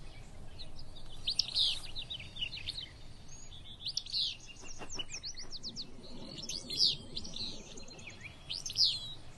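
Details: Willow Flycatcher on the Kern River Preserve on a cool morning, near rivers and creeks, giving sharp, sneezy fitz-bew notes about every two to three seconds, mixed with high chips and twitters, over a low outdoor rumble.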